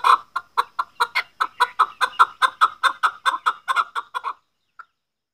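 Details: Chukar partridge (Alectoris chukar), hunter chukar call: a quick run of about seventeen hoarse, mid-pitched chuck notes, nearly four a second, then a pause before one final note.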